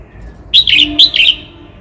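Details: Red-whiskered bulbul from Cao Bằng, kept as a cage bird, giving a short burst of four loud, clear warbled notes in quick succession, with a faint low hum in the background.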